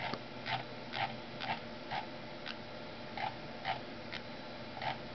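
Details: A female pet parrotlet indoors copies the sound of a computer mouse scrolling. Soft clicky, slightly tonal notes repeat about twice a second over steady room noise, and she flutters her wings with each one.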